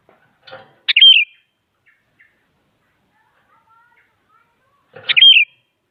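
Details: Sooty-headed bulbul, an active singer meant to provoke rival bulbuls into singing: two short bubbly phrases, each a sharp rising note then warbled whistles, about four seconds apart, with faint clicks and soft background noises between.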